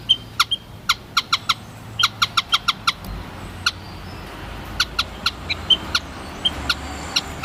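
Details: White-headed munia producing rapid series of short high peeps, some in quick runs, others spaced out, with many crisp clicking sounds throughout.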